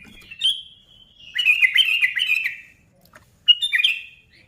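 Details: Sooty-headed bulbul song aimed at getting other bulbuls singing: a single sharp note, then a burst of rapid twittering warbles, a quiet gap, and a short closing flourish.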